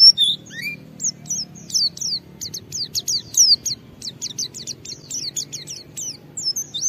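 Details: Energetic white-eye song used to trigger other white-eyes to sing along: a few twisting high whistles, then long series of short, very high slurred chirps delivered rapidly and unevenly, over a quiet low background murmur.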